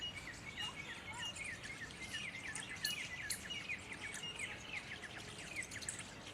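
Mynas chatter in a busy stream of short, overlapping chirps and squeaky notes at mid-high pitch, over a steady background hiss.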